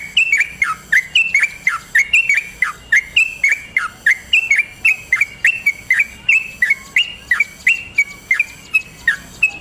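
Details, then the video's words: Yellow-vented bulbul singing a lively long roll meant as a lure for other bulbuls: loud, sharp descending whistles repeated quickly and steadily throughout, some notes rising briefly before falling, with no other sounds. "Masteran trucukan gacor ropel panjang"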